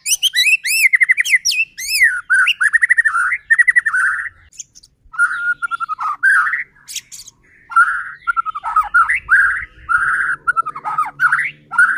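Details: Lure song of a white-rumped shama meant to provoke other shamas: rich, varied phrases of rapid trills, ringing rising whistles and scratchy warbles, delivered almost continuously with short pauses.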